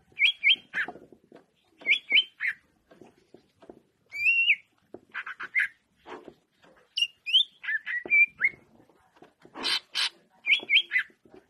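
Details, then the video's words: Greater green leafbird song: bursts of quick paired whistles and slurred notes alternating with buzzy rasping sounds, phrases separated by short silences. "Manuk Cucak Ijo"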